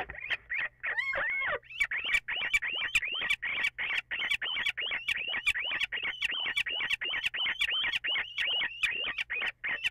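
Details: Little owl calls before dawn on 14 April, possibly two birds at once: a few wavering notes, then a fast, steady run of short upward-flicking chirps, several per second, loud and close.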